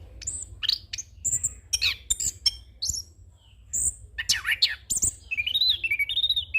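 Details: Young orange-headed thrush singing a rolling song packed with varied phrases, used for training other birds and as a lure: high sharp whistles, short slurred notes and quick trills, ending in a wavering warbled phrase, with brief gaps between bursts.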